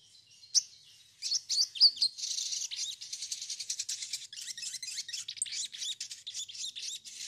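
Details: High, sustained sogon chattering used as a lure for new birds, a sharp opening chirp followed by a long, busy run of fast scratchy notes.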